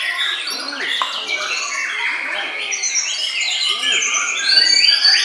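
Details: A white-rumped shama in a deep bowing posture pours out a rich, fast mix of whistled and buzzy notes. A clear high whistle comes at the close, with other birds and faint voices behind.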